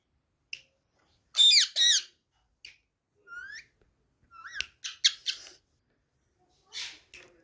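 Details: Angry pet parrot indoors giving scattered calls: two loud harsh squawks, short rising whistles, clicks and buzzy bursts separated by short silences.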